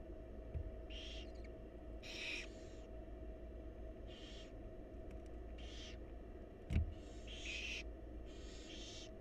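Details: Begging by wild barn owl chicks fed by their mother in a nest box: repeated harsh, breathy screeching hisses roughly every second or two, with a couple of soft knocks and a constant low hum.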